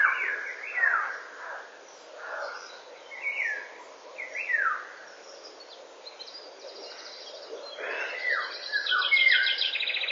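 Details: Eurasian golden oriole singing at 08:15 on a May 2013 morning, recorded by a woodland camera: fluty, slurred whistled phrases dipping and rising in pitch, repeated every second or two, with buzzy high trills from other birds throughout.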